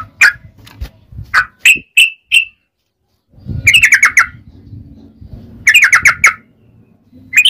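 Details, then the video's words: Yellow-vented bulbul singing in bursts, from a long rapid-fire song recording used as a lure for other bulbuls: short clusters of chirpy, liquid notes separated by pauses, over a low rumbling background. "SUARA trucukan gacor ROPEL PANJANG buat Pancingan trucukan agar bunyi"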